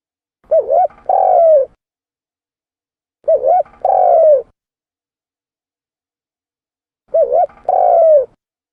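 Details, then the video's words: Lure recording of a spotted dove: three matching phrases about three and a half seconds apart. Each is a quick wavering double coo followed by a longer mellow coo that falls in pitch. Clean, with no background. "Suara tekukur pikat mp3 /suara burung tekukur / เสียงนกเขาใหญ่ / Turtle dove sound effects"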